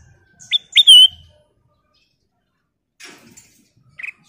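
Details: Black-crested bulbul singing energetically: crisp upslurred whistles and a sustained bright note, a quiet gap with faint rustling, then more sharp whistled notes starting up.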